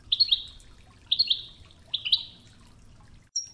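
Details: European goldfinch singing the Wedani style on a training tape with river water murmur: three near-identical bright twittered doublets about one second apart, ending in a thin high note, over soft water.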